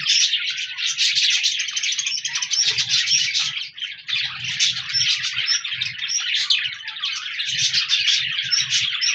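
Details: Several budgerigars, 14 January 2024, keep up unbroken warbling chatter of rapid buzzy chirps and bright whistled notes, with a brief dip near four seconds and faint low rumbles in the background.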